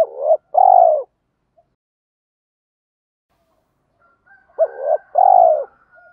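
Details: Spotted dove, male and female voices used for training cooing doves, giving two-part coos: a short rising note then a long, level, slightly falling coo, in two phrases separated by silence.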